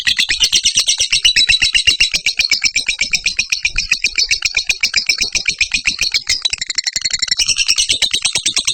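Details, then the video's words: Lovebird in long continuous chatter (ngekek), kept for training other birds: loud, harsh, rapid shrieking notes repeated about four times a second without pause, steady throughout, shifting slightly in tone near the end. "Love bird ngekek 1 menit cocok buat masteran"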